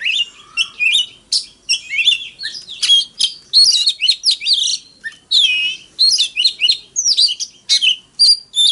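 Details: Oriental magpie-robin in a duelling fighting song: a dense, varied stream of warbled whistles, trills and squeaky notes, rapid and nearly continuous, with a few lower whistles mixed in.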